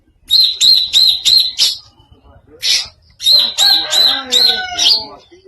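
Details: Greater green leafbird giving a strange song: rapid series of short sharp high notes, four quick then a gap, followed by a longer run of five similar notes with a lower nasal undertone.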